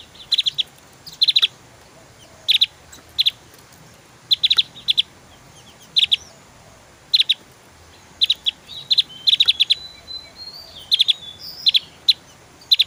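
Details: Lively Javan grey-throated white-eye in 'tembakan' shooting style: a long series of high, piercing chip clusters, often in threes, delivered steadily with short pauses and a few thin whistled slurs.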